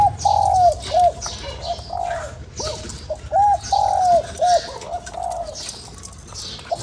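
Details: Clear cooing of a spotted dove meant to stimulate a lure bird: low, mellow coos in repeated phrases of a long drawn note followed by shorter notes, with faint higher chirps and hiss behind.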